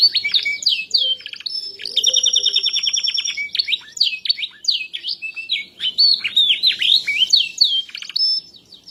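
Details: Canary singing a continuous high song after losing its natural voice: quick chips, a long rattling trill near the start, then strings of swooping, squeaky notes repeated rapidly. A few faint low whistles are heard early on.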